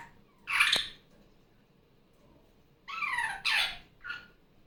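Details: Pet female superb parrot (Barraband parakeet) indoors on a Sunday morning, loud at playtime after coming off her nest: harsh, broad squawks, one burst near the start and three more after a pause, separated by quiet.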